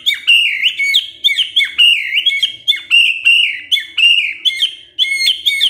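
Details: White-rumped shama phrase played to coax a male into singing: a fast, steady series of warbled whistled notes repeated several times a second, each with a sharp click at its start.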